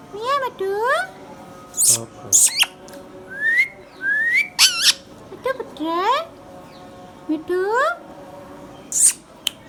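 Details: Hand-tame pet Indian ringneck parrot, green, vocalizing: a series of rising, harmonic whistled slurs, several climbing sharply in pitch, broken by short harsh screeching bursts near two, five and nine seconds, with quiet gaps between phrases.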